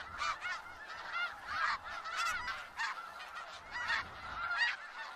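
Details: In Skagit Valley a flock of snow geese honks continuously, sharp high nasal yelps overlapping in quick succession above a murmuring chorus, with faint low rumbles beneath.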